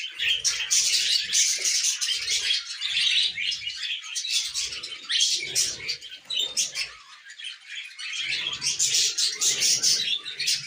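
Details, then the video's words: Pet budgies chirping happily at length, dense high warbling chatter with bursts of sharp tweets and short dips between phrases, several birds calling together. "Happy Budgie Sounds"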